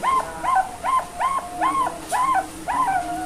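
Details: Young Bangkok-type zebra dove at a bird farm in Kebumen, Central Java, Indonesia. It repeats short arched, squeaky, slightly nasal notes about every half second, seven in all, over a faint background hiss.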